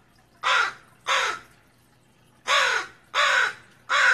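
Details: Northwestern crow giving alarm calls at a raccoon, a warning of danger below; five harsh, hoarse caws, each about a third of a second long, spaced irregularly with a longer gap midway, over quiet background.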